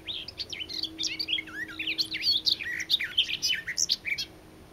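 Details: Garden warbler, tentatively identified, singing eagerly and loudly in Norway: a continuous, hurried warble of varied scratchy and fluty phrases, jumping up and down in pitch, with a faint steady hum behind.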